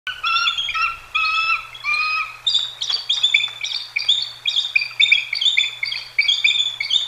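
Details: Bald eagles mating at the Decorah North nest, caught on a live camera: a rapid chattering series of high, thin piping notes, first a few longer falling whistles, then quick clustered chirps repeated about three times a second, over a faint steady hum.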